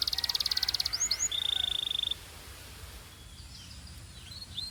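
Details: Belgian canary warming up: a short fast high trill, two upward-flicked notes and a level buzzy tone, then near silence with faint distant chirps.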